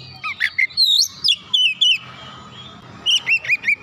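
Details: Oriental magpie-robin provoked into heated agitation, singing its full isian repertoire: quick high whistled notes sliding up and down, with short bursts and a pause midway before a rapid run of looping phrases resumes.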